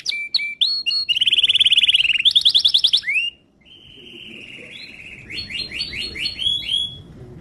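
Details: Timbrado canary training song with short sharp chips, then fast rolling trills, a brief pause, and a long sustained whistled note ending in a quick run of repeated rising syllables.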